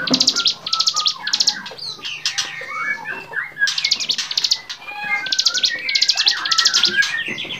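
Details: Training recording of a bar-winged prinia's varied song for songbirds: clusters of high, buzzy trills in quick succession, broken by a pause, with many sliding whistles and chirps from other birds around it.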